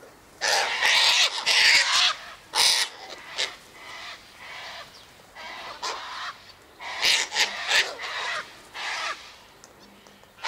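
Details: Sulphur-crested cockatoos in a flock by an eastern gate, feeding on tossed sunflower seeds, wheat and birdseed; loud harsh broadband screeches in bursts, several overlapping, with quieter rasping calls between.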